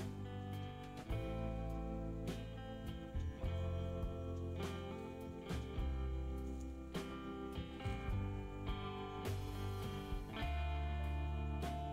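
Strummed and plucked guitar music with a steady bass line throughout; no animal voice can be picked out.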